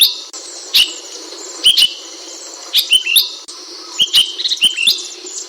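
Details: High, clear chirps from an Ashy bulbul, in short groups of two or three notes that sometimes slur downward, separated by brief silences, over a hissy background with clicking sounds.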